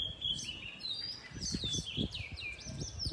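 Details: House sparrows in a garden chirp continuously, with bright, overlapping cheeps and short sliding notes, some rising and some falling, while low thumps and rumble sit underneath.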